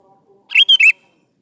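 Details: Sooty-headed bulbul singing to lure young birds into answering: a single brisk three-note phrase of clear, slurred whistles, the middle note steady and the outer notes dipping, with near silence around it.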